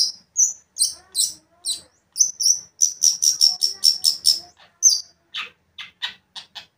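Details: Lure song from a long-tailed shrike meant to provoke a rival: high thin whistled notes run into a steady string of about a dozen sharp repeated chips, ending with softer scratchy clicks.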